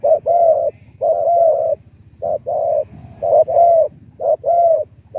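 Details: Decoy spotted dove used for luring wild doves, its voice described in the Thai style as medium tending to deep. Mellow, low cooing phrases come in short bursts, repeated about once a second with brief pauses and faint background hum.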